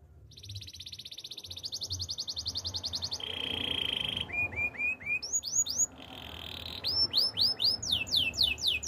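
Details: Canary training song with long rapid rattling rolls, a flat buzzy trill, rising whistled notes, a brief buzz, and quick cascading downward sweeps at the end.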